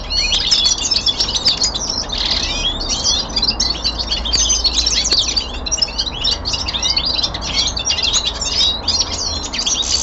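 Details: Winter descant of a young male common linnet kept indoors: an unbroken, busy stream of high twitters, trills and sharp chirps for ten seconds over a steady low background hum.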